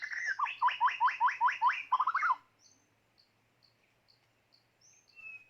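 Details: Decoy white-rumped shama for bird trapping, giving a fast run of loud, rising, upswept notes about five times a second that ends in a chattering flourish. Silence follows, with faint high ticks and one thin whistle.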